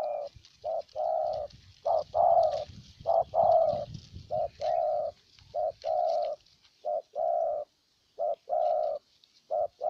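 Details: Decoy spotted dove in Ninh Thuan, Vietnam, cooing to draw in a wild bird: a steady run of low, hollow coo notes in paired short and long bursts, fairly regular, with light background rustle.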